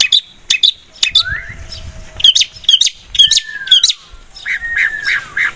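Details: Long-tailed shrike in full, vigorous song, used as a lure recording: harsh buzzy chattering bursts alternate with clear whistled notes sliding up and down, phrases tumbling irregularly about twice a second.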